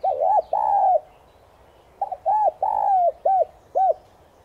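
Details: Morning calling coos from a lure spotted dove, subspecies tigrina, 'son' voice style. A doubled arched coo and a drawn-out note, a pause of a second, then a phrase of short rounded coos around one long sliding note.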